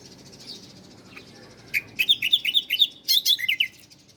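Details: Ciblek, the bar-winged prinia, singing for cage-bird master training: after a quiet start, a rapid run of sharp descending chirps, then a second tight burst of high notes and three lower chips.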